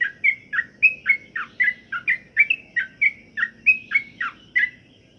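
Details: Sooty-headed bulbul (trucukan) kept with pengembunan, dew exposure meant to make it sing often: fast, liquid chirping phrases alternating up and down, about three per second, fading out near the end, faint low hum present.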